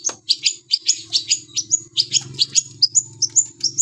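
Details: Long-tailed shrike singing vigorously: a quick, rhythmic string of sharp, squeaky high notes and short rising whistles, about three per second, over a steady low hum.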